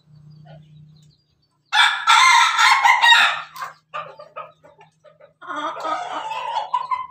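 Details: Kept Pelung chicken giving a laughing crow, 17 May 2024: after a low hum, a loud crackling crow breaks into quick staccato chuckles and short notes, then rises again into a rougher sustained crow.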